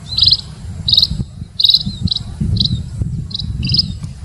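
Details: High, clipped munia chirps in short groups, used as a trapping lure, set against a noticeable low rumbling background noise.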